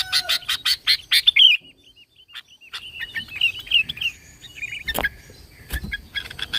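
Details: Sooty-headed bulbul recorded as a lure for other bulbuls, pure original voice: rapid bright chirps leading into a rolling whistled phrase, a soft pause, then quieter liquid warbles and a few sharp clicks.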